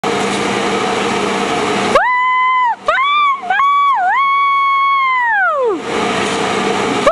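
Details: Pet cockatoo, excited while playing on his hanging boing toy with the owner whooping, gives harsh grating screeches, then a long wavering whistle-like squawk that dips and falls away before harsh screeching returns.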